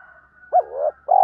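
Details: Decoy spotted dove cooing in the 'gọi - thúc' style to attract wild doves: a clipped rising-falling note, a wavering coo, then a strong steady coo beginning, with a faint continuous high tone throughout.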